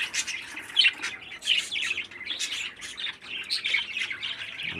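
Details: A captive parakeet chick, 13 days old and described as strong and healthy, keeps up a busy stream of scratchy, hissing chirps that rise and fall in loudness.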